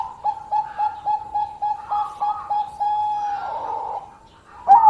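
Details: Bangkok-type zebra dove singing to draw rivals: a regular series of soft, even cooing notes about four per second, fading, then a sudden loud coo at the end.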